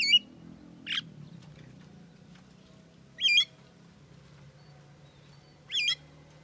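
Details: Talking Javan myna producing four brief wavering, harmonic utterances spaced one to two and a half seconds apart, the later ones with a wiggling, voice-like contour, against a constant low-pitched hum.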